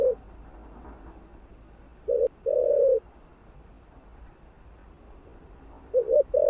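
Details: Spotted dove calling to stimulate other doves. A low coo opens, then a full phrase of a short double note and a long steady coo, with another phrase beginning at the end.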